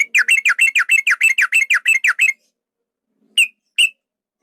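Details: Male yellow-vented bulbul giving a long trill used as a fight-provoking lure: a steady run of about fifteen rapid chirps, then silence and two single notes.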